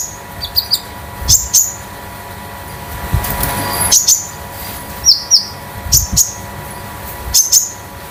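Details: Common iora, locally konin, a young home-kept bird losing its juvenile speckles and used as a lure bird; scattered high sharp whistled notes, some doubled, with brief rustles and background hum.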